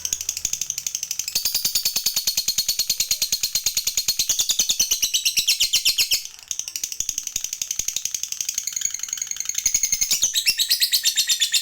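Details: Long ngekek trill from a fighter lovebird, used to coax other lovebirds into trilling. A sustained, fast, high rattling chatter runs almost unbroken, with one short dip midway before it resumes.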